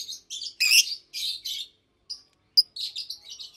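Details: Caged adult Fischer's lovebirds, a pastel green and a blue bird, singing during the day: loud buzzy squawking chirps, a short silence, then a sharp squeak and softer twittering.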